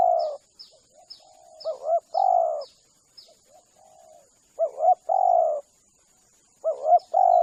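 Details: Lure call of spotted dove for attracting spotted doves: a series of high short descending chirps from small birds at first, then three phrases of a double coo and a long mellow coo, with soft quieter coos between.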